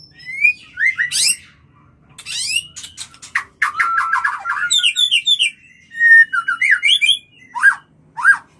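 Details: Mating call of the white-rumped shama, used to bring birds into breeding: loud, varied bursts of whistled slurs, rapid downward chatter, bright rising notes and sharp clicks, separated by brief pauses.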